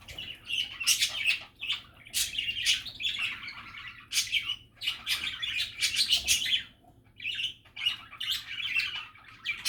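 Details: Cheerful budgerigar chatter: loud bursts of raspy warbling and sharp chirps in clusters, one brief lull near the end before chatter resumes.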